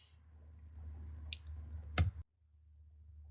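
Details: Low hum indoors, broken by two sharp clicks before cutting to near silence.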